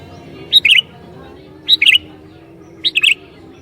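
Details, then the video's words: Sooty-headed bulbul singing to provoke other bulbuls: three quick two-part chirpy phrases about every 1.2 seconds, with a constant low hum in the background. "Burung Kutilang Gacor Ini Sangat JAGO Mancing Kutilang LAIN"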